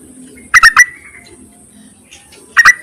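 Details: Yellow-vented bulbul calling to males, a recording used as a trapping lure: a quick cluster of three bright chattering notes near mid-pitch, then a long quiet gap before a second short burst at the end.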